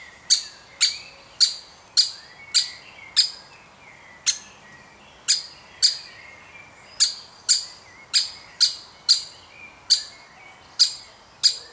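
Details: Baby woodpecker being fed by its family; a long series of crisp, high, ticking chirps, mostly about two per second with a brief pause midway.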